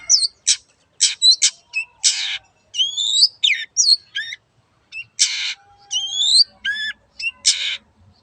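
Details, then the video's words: Long-tailed shrike singing briskly ('gacor') to coax a mute bird into voice: loud grating squawks mixed with looping whistled slurs and clicky notes, in irregular bursts about every half second. "BURUNG CENDET GACOR YANG BISU JADI BUKA SUARA DAN IKUT BUNYI"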